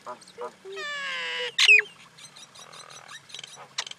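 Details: Common Indian myna calling: a short low note, then a sustained harmonic-rich nasal note, a sharp rising squeal, and a spell of scratchy gurgling ending in clicks.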